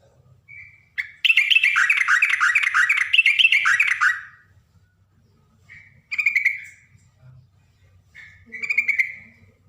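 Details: A female yellow-vented bulbul calls a male with a long rollicking run of bubbling, warbled notes for about three seconds, followed by two shorter gurgled phrases spaced a couple of seconds apart.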